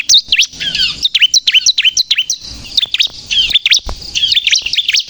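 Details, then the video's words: Bar-winged prinia singing briskly in crystal style, used to attract birds for trapping and to excite other birds: high, sharp, zigzag chirps in short clusters separated by small pauses. "suara burung ciblek kristal gacor untuk pikat dan pancingan ciblek bahan agar bunyi emosi"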